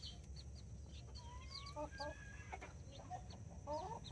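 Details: Backyard in Colombia with two hens and nine chicks, Brahma and mini breeds; thin whistled chick notes and repeated short peeps alongside hen clucks, over a strong low rumble.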